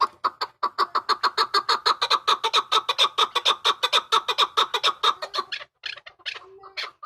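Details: Hybrid chukar calling in a long, steady train of loud clucking chuk notes, about two per second for over five seconds, ending in a few irregular softer calls.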